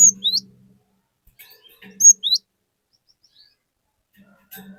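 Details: Cinereous tit singing in full voice, used to lure other tits into song: two short phrases of high, clear whistled notes, each ending in a falling slur, about two seconds apart, over a faint low hum.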